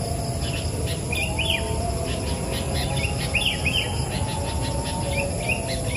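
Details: Wild sooty-headed bulbul perched on the highest branch, singing very actively: short bubbly slurred phrases in quick pairs, repeated about every two seconds, over a steady high insect drone and low rumbling background noise.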